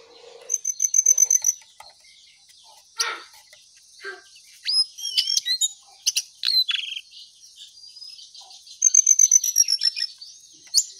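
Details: Lesser shortwing song in spaced phrases: fast trilled bursts of thin, high notes alternate with scattered short chips and whistles, with pauses between phrases.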